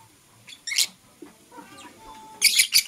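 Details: Morning lovebird chirping from Blue Opaline and Parblue Euwing Opaline birds: a few isolated bright, harsh chirps separated by quiet gaps, with a soft thin whistle in between and a closing cluster of shrill notes.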